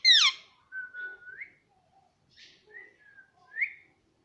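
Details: Young pet parrot indoors: a sharp descending squawk, then a long level whistle that lifts at the end, followed by soft scattered chirps and a last short rising whistle.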